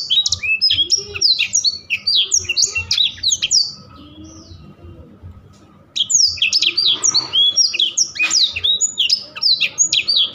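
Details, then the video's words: Blackthroat singing bursts of sharp high chirps and downslurred whistles, pausing for about two seconds midway, then resuming with rapid chattering notes. "BURUNG BLACKTHROAT GACOR SIRAJA NGEROL | BLACK THROAT BIRD SINGING"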